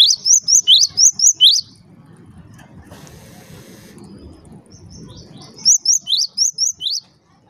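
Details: Java sparrow calling to stir up other Java sparrows: quick series of piercing rising chirps, a four-second gap filled with rustling noise, then a second chirping run.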